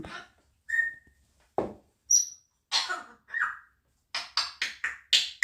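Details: Pet grey parrot, shown face to camera indoors and described as less talkative, giving a mix of short whistles, rasping squawks and a quick run of clipped chirps.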